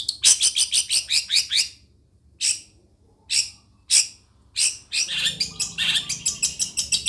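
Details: Long-tailed shrike from Situbondo: a quick burst of harsh, high ticking notes, then single scratchy chirps spaced about a second apart, then a busy, varied chatter of squeaky and rasping notes with a faint low hum.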